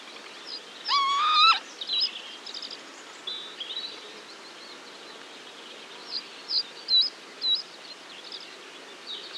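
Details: Northern lapwing pair giving alarm calls to their young: a single loud, nasal, harmonic-rich call lasting about half a second, then faint high chirps and short whistles from other birds.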